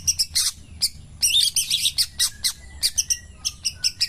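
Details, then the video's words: Long-tailed shrike, pastol type, in morning song: irregular bursts of bright, scratchy high notes mixed with short clear whistles, quick and varied, with brief pauses between phrases. "kicauan Burung Cendet Pastol di pagi hari"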